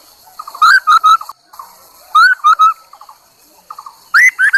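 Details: Chinese hwamei singing as a lure bird, loud whistled three-note phrases with rising first notes, the last phrase higher and sliding upward, soft trills in between.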